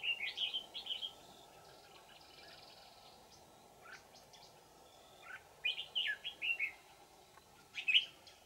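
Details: Old wild red-whiskered bulbul with a bell-like, twisting voice, singing during decoy trapping on 20 December 2018 in Vietnam: short warbling phrases at the start, a pause, then a longer run of bright slurred notes and a final high burst.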